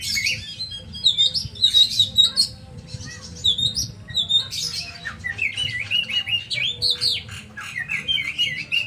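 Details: Oriental magpie-robin, known locally as kacer, singing a loud, varied run of high whistled and warbled phrases. Quick slurred notes and rapid chattering bursts follow one another almost without pause, over a low steady background hum.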